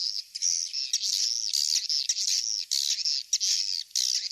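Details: Swiftlets heard in a recording used to lure birds to nest houses, giving a nearly continuous high, buzzy twitter broken by short gaps and sharp clicky chirps.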